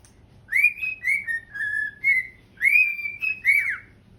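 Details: Cockatiels singing and dancing together on a couch at home: a rising whistle, then a descending sequence of steady notes, followed by a second phrase that ends in a fast falling slur.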